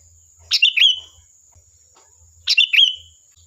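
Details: Sooty-headed bulbul singing a lively lure song meant to provoke a reply: two short bubbling phrases of quick notes ending in a drawn-out whistled tail, about two seconds apart, with a steady high hiss behind.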